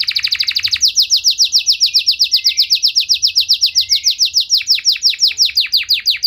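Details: Canary in full, lively song with long bursts and elaborate phrasing, meant to stir other canaries to answer; opens with rapid high buzzy notes, then a long steady train of sharp descending chirps, about two per second, with a faint lower trill mid-phrase.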